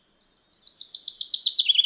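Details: Common chaffinch in the wild giving a fast run of high, evenly repeated chipping notes that slowly descend in pitch; the phrase cuts off abruptly before any closing flourish.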